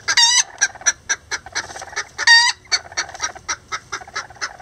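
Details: Rare Lavender Bantam chickens, two roosters and a hen, building a nest: two loud harmonic calls, with rhythmic short clucks repeated steadily between and after them.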